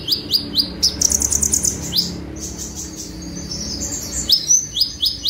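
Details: Sunbird (konin) in 'tembakan' song for cage-bird training: rapid sharp upslurred chips about twice a second, a short glittering high trill, a pause, then more rising notes, with low background noise.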